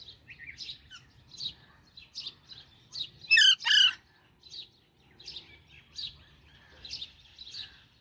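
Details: Chirps from a baby Alexandrine parakeet, short high notes repeated quickly and unevenly, broken by a pair of loud rasping squawks around the middle; a faint low hum sits underneath.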